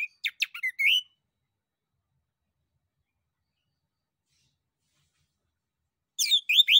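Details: Male orange-headed thrush in full song, played as a lure so other thrushes and birds answer: a quick run of sharp high chirps and whistled slurs, long silence, then another burst of bright whistled notes.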